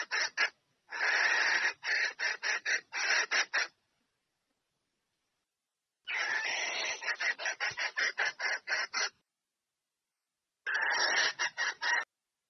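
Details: Red junglefowl hen calling a male to mate: three bursts of rapid, harsh, clucking pulses, each about three seconds long with eight to twelve notes, separated by short silences.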